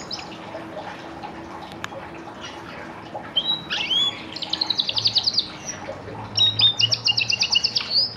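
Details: Orange canary kept as a pet begins after a quiet start, then delivers quick repeated trill phrases mixed with whistled slurs, a steady low hum underneath.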